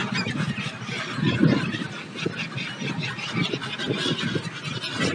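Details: A flock of migratory gulls newly arrived for winter at Surat, Gujarat, on the Tapi coast, calls in a dense, overlapping chorus of harsh squawks and honking cries over a steady broadband hiss.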